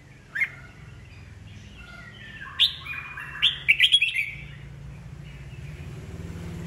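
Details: Old wild-caught red-whiskered bulbul in a cage, giving 'bọng' style song to provoke new birds into competing. One short call, then a bright, choppy warbled run of rising and falling notes over a faint low hum.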